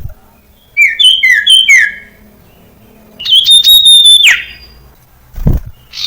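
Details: A highly vocal Common Iora gives three quick clear whistles slurring downward, then one long, high, steady whistle dropping at its end, followed by a dull thump. The recording is used to train young ioras to sing.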